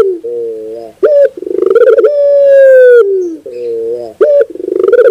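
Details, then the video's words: Puter bird, the Barbary dove, cooing repeatedly: low wavering hoots, a sudden rising note, a rapid rolling stutter and a long level coo, the pattern starting again twice. "sound therapy is only 5 minutes your puter bird will definitely sound"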